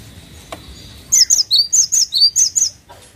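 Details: Cinereous tit song of about eight high, ringing notes in paired up-and-down figures, delivered rapidly over a second and a half. A low murmur and a single click come before it.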